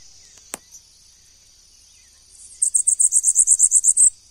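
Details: Bananaquit singing: after a quiet start with one sharp click, a rapid series of about thirteen very high, thin, sibilant notes runs evenly for about one and a half seconds.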